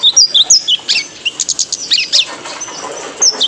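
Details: Training call of a male kolibri ninja, the purple-throated sunbird, for cage birds: quick, high, squeaky whistles and twitters in a fast burst, then a pause and a final thin slur.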